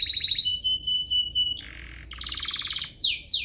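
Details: Domestic canary song meant to spur other canaries to sing: a steady whistled note repeated several times, a low buzzy roll, a rapid chattering trill, then two sharp descending sweeps.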